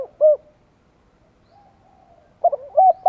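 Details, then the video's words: Spotted dove calling to lure wild birds in Vietnam: a short closing coo, a quiet pause, then the stuttered opening of the next mellow cooing phrase. "Tiếng chim cu gáy gọi kích mồi hiệu quả - Bổi nghe chịu không nổi"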